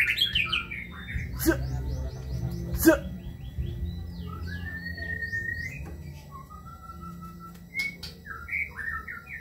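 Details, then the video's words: Long-tailed Kebyok white-rumped shama with quick buzzy notes, then long drawn, rising and level whistles and a few sharp clicks, set against low-pitched background noise. "Murai batu (Kebyok)"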